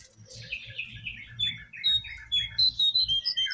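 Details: Brown prinia song meant to draw caged or wild birds into singing: descending slurred chirps, then clear high whistled notes repeated in a quick series, over a low background hum.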